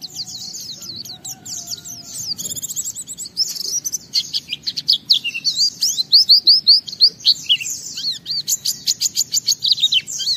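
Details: Gacor oriental white-eye unloading its 'isian', meant to set other white-eyes singing: varied high twittering that builds into rapid repeated whistled notes, nearly three a second, steady and energetic toward the end.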